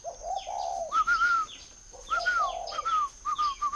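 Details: Spotted dove from a bird farm in Ba Vì, Hanoi, with low, breathy coos alternating with drawn-out whistles, and lively chirping from other small birds throughout.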